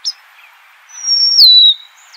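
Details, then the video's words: Golden-crowned sparrow singing a single long whistle that holds steady on a high pitch and then drops to a lower held note, giving a plaintive falling phrase over a soft hiss. "Natural Birds Voice, Bird Natural Sound.Golden crowned Sparrow."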